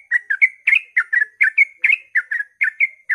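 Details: Dawn song in fast 'ropel' style by a yellow-vented bulbul, meant to lure other bulbuls into singing: lively liquid chirps in quick pairs, some with a rising slur, repeated without pause.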